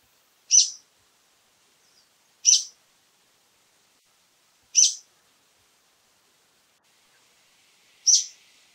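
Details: Brown-eared bulbul giving short, harsh, screechy high calls, four in total, spaced roughly two seconds apart, with near silence between them.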